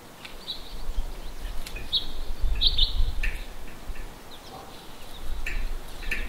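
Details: Black-capped chickadees at winter feeders give scattered high, thin notes and short buzzy calls in loose bursts, over a steady low rumble of wind or distant traffic.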